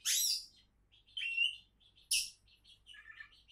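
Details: Oriental magpie-robin (kacer) song from a bird billed as a contest champion candidate: loud harsh high bursts alternating with clear whistled phrases and quick twittering notes, in short phrases separated by brief pauses, with faint low hum beneath.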